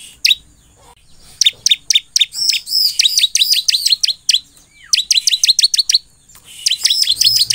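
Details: Bar-winged prinia in persistent song, played to draw replies from other prinias: bursts of sharp, high downslurred chirps with arched whistled notes, repeated rapidly in runs of about a second, separated by short pauses.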